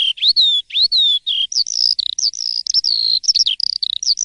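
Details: Asian pied starling in morning song, opening with rising and falling clear whistles, then a quicker series of steady whistled tones and a rapid chattering burst at the end.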